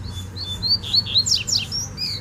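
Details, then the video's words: A double-collared seedeater in the wild sings a quick, high phrase of short whistled slurs, several notes sweeping downward in fast succession, with faint low background noise. "Um Coleiro De Respeito No Mato"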